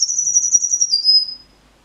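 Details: Singing canary: a single high, fast rolling trill held steady for about a second, then sliding slightly lower and fading into silence.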